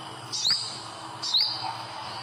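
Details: Olive-backed sunbird in the wild in Indonesia gives two sharp, very high upslurred chips about one second apart over soft background hiss.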